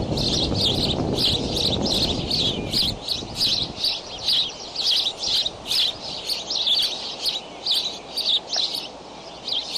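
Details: Bald eagle nest at Decorah, early morning of 20 May, eaglets flap hopping. High, squeaky chittering phrases repeat about every second over low rumbling noise that fades after the first few seconds.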